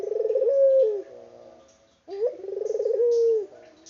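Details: Two low coos from a vocal local puter dove, unedited: each is a pulsing, throaty roll finishing on a sustained downward-gliding note, separated by about a second of near silence.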